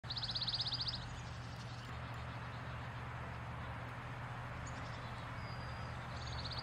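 Pine Warbler song: a quick, even, musical trill of about a second, repeated at the end, over a steady low rumble of traffic-like noise.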